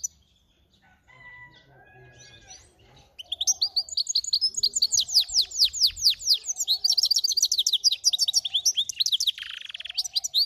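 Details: Near silence and faint twitters for about three seconds, then finch × canary hybrids break into an energetic, rapid trilled song of repeated high slurred notes that continues to the end.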